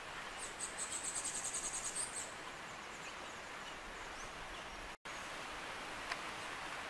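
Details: Rufous-tailed jacamar (Galbula ruficauda) in the wild in Pernambuco, Brazil, gives a quick run of about a dozen thin, very high notes in under two seconds against a steady hiss of wind or insects.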